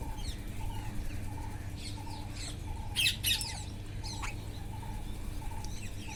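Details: Wild parrots eating, with loud harsh squawks near the middle and later, other birds' soft repeated notes in the background, and a constant low hum.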